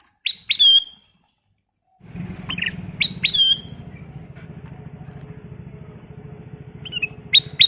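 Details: Ruby-throated bulbul (kutilang emas) giving repeated loud whistled phrases that end in ringing notes, partly masked by a continuous engine-like drone.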